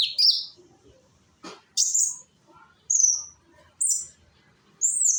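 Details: Young sunbird called konin in Indonesia, singing as a lure for others; single high, thin whistled notes, some slurred downward, about once a second, between near silence.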